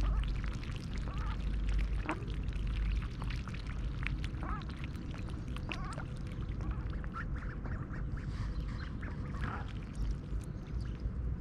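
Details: Mallard hen and six nearly grown young, wild at a town park pond in Tallinn, Estonia, early morning in mid-July, fed oats; scattered brief quacks spaced a second or two apart, under constant low-pitched rumble.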